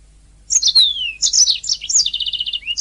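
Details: Canary singing as a training master: a long downslurred whistle, bright twittering, then a fast even trill of repeated notes ending in a short rising whistle.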